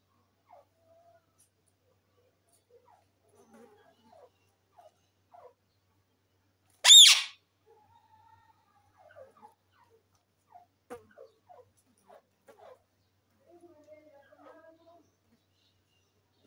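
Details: A green Indian ringneck (rose-ringed parakeet) gives one loud, harsh screech amid otherwise quiet surroundings.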